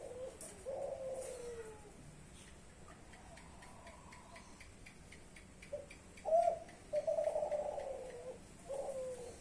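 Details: Young Kelantan-type spotted dove of a champion bloodline cooing: a low, smooth coo opens, then after a pause a short note, a stressed coo and a long, slightly wavering coo, with faint ticking throughout.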